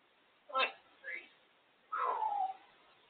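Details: Pet female African grey parrot perched on her cage indoors, giving three vocal sounds: a short harsh burst, a brief faint chirp, then a longer whistled note that slides downward, with quiet room background between calls.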